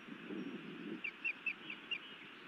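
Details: Faint, evenly spaced high chirps, five in a row, from a female osprey scolding her mate at a Montana nest, 31 May 2017 evening, after a low murmuring rumble.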